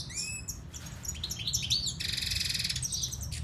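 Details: Siberian goldfinch song: rapid twittering of thin high notes and slurred whistles, then a dense buzzy trill held for about a second, over a low background rumble.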